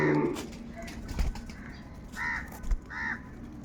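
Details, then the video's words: A large gathering of crows, reportedly squabbling over food. Several short, nasal caws come in quick succession over constant low background noise, with a few sharp knocks. "Huge numbers of Crows crowing and crying sounds | Kaka sound and noises of Crow birds"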